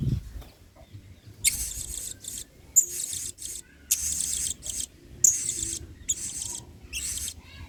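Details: Excited blue-crowned hanging parrot in singa style song, meant as a model for training other birds; after a quiet start, a string of high, hissing, buzzy bursts broken by brief pauses, with occasional sharp squeaks.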